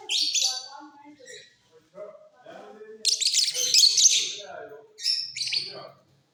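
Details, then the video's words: Caged mutation lovebirds in a flying cage sing out of season: bursts of shrill, rapid scratchy chatter, loudest in the middle, with softer lower sounds in between. "Love birds Mutation singing during off session"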